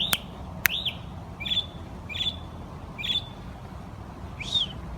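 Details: Noisy morning bird chirping: short, bright chirps repeated roughly every three quarters of a second, some with a quick upward flick, with two sharp clicks near the start and a faint low rumble behind.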